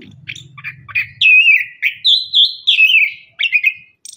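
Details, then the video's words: Lure song of an orange-headed thrush, meant to prompt lazy or moulting caged birds to sing: loud, rich, warbling whistled phrases running up and down, repeated in a flowing string, with a low hum at the start. "KICAUAN ANIS KEMBANG GACOR"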